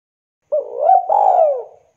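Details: Spotted dove calling to companions: one close, smooth coo phrase, a low hum swelling into a rising looped note and then a long, slowly falling purr.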